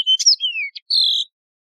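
Yellow-fronted canary sings a quick, bright phrase: sweet whistles, a downward-sliding note, a brief buzzy burst, then a steady high whistle lasting about a third of a second.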